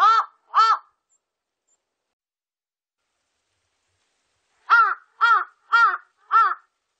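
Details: Large-billed crow: a pair of hoarse caws, a silence of about four seconds, then four evenly spaced arched caws in quick succession, recorded cleanly.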